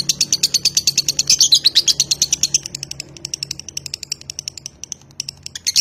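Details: A lovebird bred in Nganjuk for contest singing performs the unbroken "konslet" song: a fast chain of shrill repeated chirps, louder and denser at first, then thinner and softer but still continuous.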